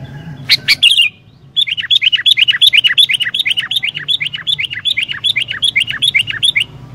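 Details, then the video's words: Sooty-headed bulbul in lively, active song, played to stir wild bulbuls into singing: a few sharp loud notes, a short pause, then a fast, steady run of bright downslurred chirps, roughly three per second, continuing to the end. "Burung Kutilang Gacor Dooor, Cepat Bikin Kutilang Liar Langsung GACOR"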